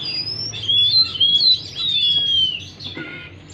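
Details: Oriental magpie-robin song to stimulate a stressed bird that has fallen silent: sustained clear whistles sliding slowly down and up, loud and pure, with a low hum underneath.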